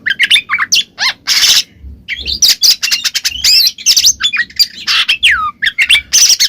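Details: Oriental magpie-robin in full ngeplong song, meant to provoke a silent bird into singing: a rapid jumble of bright chirps, rising and falling whistled slurs and scratchy bursts, with brief pauses and faint low thumps.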